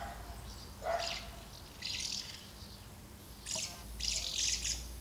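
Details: Common house martins at two nests during feeding and fledging flights, 24 August 2012. Quiet, scattered groups of buzzy chirps, a short lower note near the start, and lulls between the bursts.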